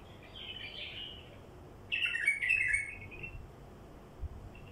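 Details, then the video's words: Wild bulbul song, used to lure wild bulbuls: a warbled, chattering phrase early on, then a louder, richer burst of bubbly notes near the middle, with a brief faint note at the end over low background hum. "تغريد بلبل وحشي لفتح البلابل الوحشية"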